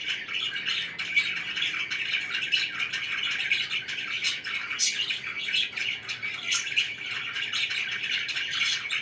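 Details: Pet budgerigars chirping: continuous busy chatter of quick high twittering notes and short warbles, with brief louder tweets rising above the steady flow, no pauses throughout.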